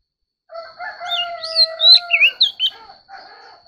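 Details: White-rumped shama in competitive song: looping whistled notes laid over a loud sustained low droning tone, with the whistles fading out toward the end.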